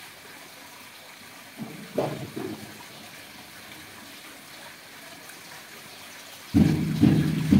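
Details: Quiet background hiss broken by a few low thumps near two seconds and a louder burst of low knocking and rustling toward the end, with no birdsong.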